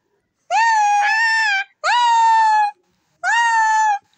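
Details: Green pet parrot, a ringneck, talking: three loud, steady, nasal harmonic calls of about one second each, slightly rising at the start, with short pauses between.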